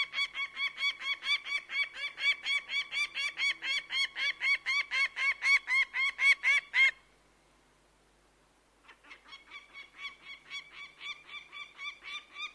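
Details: Long bout of rapid, harsh notes from a bird of prey, around four per second, stopping for about two seconds, then resuming more quietly.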